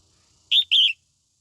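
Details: Morning song of a female red-whiskered bulbul, meant to fire up white-cheeked males: two loud, rich chirped notes in quick succession, the second longer and slightly wavering, then silence.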